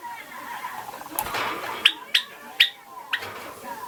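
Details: A pet Java sparrow about two and a half months old, just beginning song practice, gives a few sharp, bright chips and clicky notes, irregularly about every half second, over soft indoor noise.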